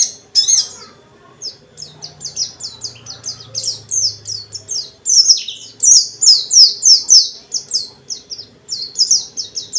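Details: Pleci dakun white-eye pouring out rapid song to provoke rival white-eyes: about three high down-slurred chips per second in a steady chattering chain, with a faint low hum in the background.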